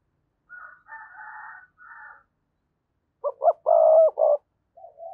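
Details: Decoy spotted dove voice intended to make wild doves coo back. Raspy higher notes come first, then a pause and a phrase of two quick rising notes, a drawn-out coo and a clipped ending, with a soft fragment after it.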